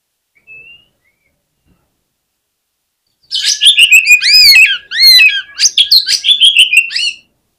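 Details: Oriental magpie-robin (kacer) singing its fighter song to stir rival kacer into stubborn response: after near silence, about four seconds of loud, rapid varied whistles, sweeps and chattering notes in two continuous bursts.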